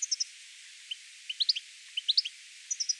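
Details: European Goldfinch (Carduelis carduelis) gives quick, tinkling high twitters in short bursts of three or four notes, with some liquid rising chirps mixed in and a faint hiss behind.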